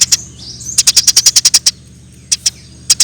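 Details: Eurasian tree sparrow chirping for use as a lure: a rapid string of about ten high, bright chirps, preceded by a soft slurred note and followed by a few spaced single chirps over a low hum.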